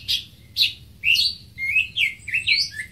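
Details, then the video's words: Greater green leafbird song: a run of bright, slurred whistles and chirps, some dropping and some rising in pitch, delivered in quick clusters with short pauses, loud and clear over a quiet background. "Greater Green Leafbird (Bird Singing 74)"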